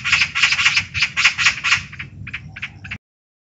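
Eurasian magpie giving a harsh, rattling chatter of rapid dry notes, about eight or nine in the first two seconds, then a few looser bursts.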